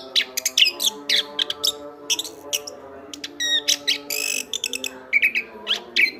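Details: Chestnut-backed thrush singing vigorously as a tutor for other birds: varied sharp whistles, a ladder-like buzzy trill and a harsh burst, interspersed with rising slurs, over faint steady low tones.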